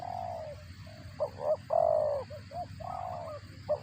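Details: Spotted dove heard while feeding its chicks: a long coo, then quick paired notes and a louder drawn-out hoot, followed by short soft notes and another sustained coo, against faint low hum.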